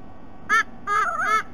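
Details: Sea eagle chick back at the nest for tea after a rest, on a nest camera at Sydney Olympic Park, Australia, 3 November: a short squealing note, then a longer wavering, harmonic whine rising and falling, over a low background hum.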